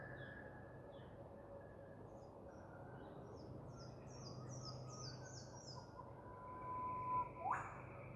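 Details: Queensland, Australia: an Eastern whipbird holds a thin, even whistle, then finishes with an abrupt, upward whip-crack. Other small birds twitter high-pitched repeated notes earlier, with a low constant hum beneath.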